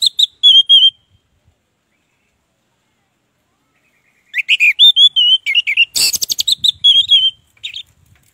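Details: Orange-headed thrush in loud, full 'ngeplong gacor' singing, used as a lure to make silent thrushes sing: a short whistled phrase, a pause, then a fast run of clear slurred notes broken by one harsh rasping burst.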